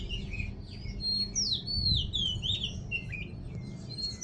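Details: Morning song of a small bird: high twittering notes and clear whistled slurs, some rising and falling, delivered in an uneven lively stream over constant low rumbling background noise.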